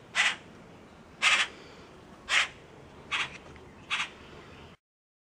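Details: Common Grackle hatchlings held in an outdoor aviary at a Virginia wildlife rehabilitation center; five harsh, buzzy squawks about one per second, then sudden silence.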